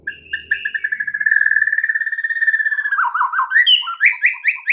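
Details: Song of a white-rumped shama (murai) with full fill phrases, played to prompt other birds: a steady accelerating trill of pulsed notes that swells in loudness, giving way to dropping slurs and repeated rising whistled notes.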